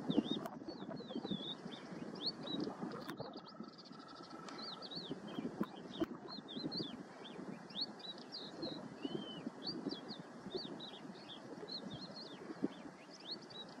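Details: Yellow wagtails of subspecies Motacilla flava superciliaris give thin, high chirps and short rising notes, several birds calling throughout, over steady low wind and rustling noise. Finding: Western yellow wagtail.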